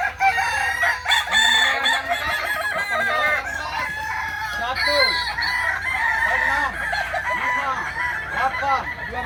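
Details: At a May 2024 practice contest for Kukuak Balenggek roosters in Ampang Kualo, Kota Solok, a dense chorus of multi-note crows overlaps throughout, long wavering tones layered over shorter descending syllables.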